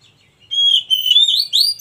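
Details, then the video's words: A wild Oriental magpie-robin delivers a brief clear song phrase. A long level whistle is followed by a series of quick upward-curving whistled notes, loud and pure against a low background hum. "KACER MACET TOTAL dan SETRES pasti akan PULIH dan NYAUT dengan dimasteri KACER ALAM ini"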